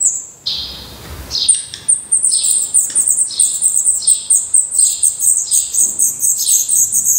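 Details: Black redstart nestlings in Portugal, eyes opened and adult feathers growing, after a brief rustle burst into dense, high, sibilant begging, many thin notes overlapping with lower hissy swells.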